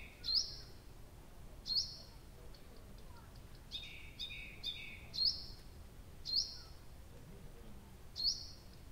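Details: At Abramtsevo on a June night in 2021 a nightingale sings repeated upward-flicking whistles with buzzy tails, about every one to one and a half seconds, with a quick run of clicks and doubled notes midway.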